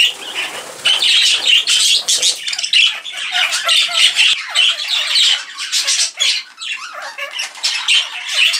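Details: Many budgerigars flying around an indoor aviary birdroom in the UK: steady, busy chorus of high, raspy squawks, chirps and warbles overlapping throughout, with brief dips in loudness.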